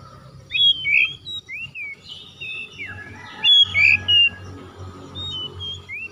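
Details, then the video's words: Oriental magpie-robin singing as a lure to revive a silent bird's song: a lively run of high whistled and slurred notes, some rising, others falling, delivered in quick varied phrases over a faint low hum. "PANCINGAN CEPAT PEMULIHAN KACER NGEDROP MACET BUNYI LANGSUNG GACOR"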